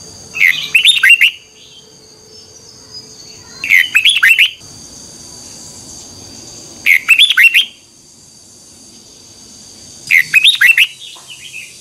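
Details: Morning song of a Red-whiskered bulbul, 'double twisting voice' style, 2021, meant as a lure for training birds: four lively, chattering whistled phrases, each about a second long, spaced about three seconds apart over a faint steady high whine.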